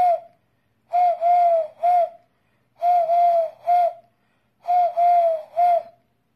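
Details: Three-note cooing of a Eurasian collared dove, loud and hollow, the long middle coo slightly falling, phrase repeated three times at steady intervals of about two seconds against near silence.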